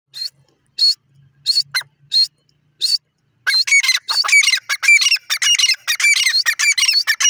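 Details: Irani dakhni jungli teetar (francolin) calling: spaced harsh, high, clipped notes for three seconds, then a rapid, dense run of overlapping scratchy calls with sharp rising and falling squeaks. No other sounds.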